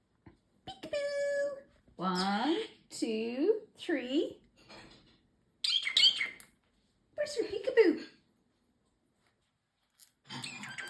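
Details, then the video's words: Male pet parrotlet saying phrases like I'll get you, my pretty and give me kiss; a short whistle, then several harmonic word-like bursts and scratchy syllables with pauses between. "Talking parrotlet"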